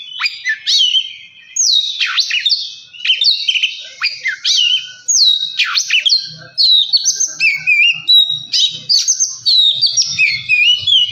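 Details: Oriental magpie-robin singing to provoke another bird into song: vigorous phrases of sharp down-slurred whistles and warbles, repeated in quick bursts, with faint low tapping sounds in the second half.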